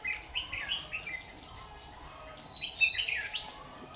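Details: Decoy red-whiskered bulbul at a trap, 6 August 2019, swaying and partly fanning its tail; quick, chattering sequence of clear whistled syllables, rising and falling, tumbling together for about four seconds.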